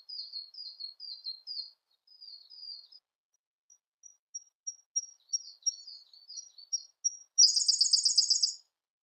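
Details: Siberian blue robin delivering its song: groups of slurred high chirps, then a long accelerating string of thin ticking notes ending in a loud, dense, high trill.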